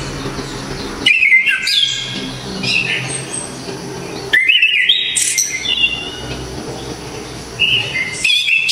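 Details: Orange-headed thrush from Java singing a very loud, sharp, clear song for songbird training: three bursts of whistled, jumping phrases between mid and high pitch, each about a second long, the second strongest, with quiet gaps between.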